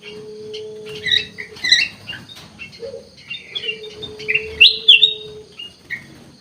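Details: Gacor song of a kutilang emas (ruby-throated bulbul): scattered whistled chirps and a few sharp bright notes over a steady low humming tone that runs through most of the recording.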